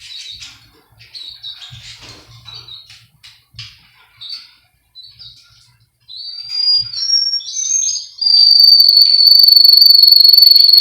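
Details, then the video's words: Russian canary singer from Miami, Florida, for song training: quiet scattered chirps first, then louder whistled phrases, ending in a fast, even rolling trill held for several seconds. "Canary Singing Birds sounds | Melodies Russian Canary Bird Sounds"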